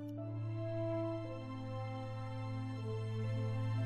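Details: Soft, slow instrumental music with sustained low tones and gentle shifting chords, and no animal voices.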